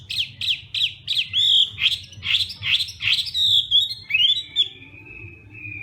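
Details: Hwamei morning training song, fighting style: a rapid series of sharp, descending whistled notes about three per second, then a long, pure, level whistle that slowly fades.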